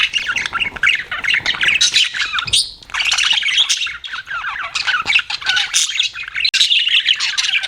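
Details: Budgies kept as pets chirp and warble in a thick, scratchy chorus. There is a brief lull near the third second, then the busy chatter resumes.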